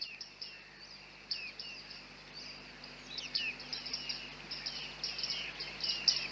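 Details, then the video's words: Bearded reedlings calling on a very foggy day, captured with a Panasonic G9 and 100-400 lens; a steady stream of high, overlapping pinging notes with downward hooks, growing louder toward the end over a faint low hum. "bearded tits"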